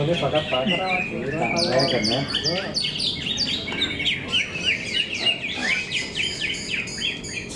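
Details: Several greater green leafbirds compete in a singing contest in Cikeas. A steady stream of quick, sharp descending notes and chips repeats about three times a second over low human talk and background crowd noise.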